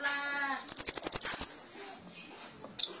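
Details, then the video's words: Van Hasselt's sunbird in full song with mimicry: a lower steady tone, then a rapid high trill of about ten notes lasting under a second, ending with a brief sharp note. "Burung Kolibri Ninja Gacor Full Isian"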